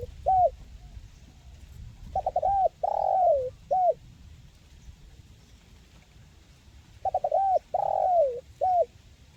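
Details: Tekukur, or spotted dove, calling as therapy for birds slow to sing: an opening hoot, then two full phrases of stuttered notes, long falling coo and final hoot, separated by quiet gaps.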